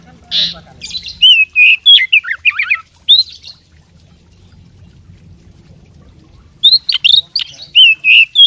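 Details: Oriental magpie-robin fighting bird in mimicry-rich song: a harsh note, then quick warbling whistles and slurs, a pause of several seconds, then another rapid burst of sharp, high whistled phrases.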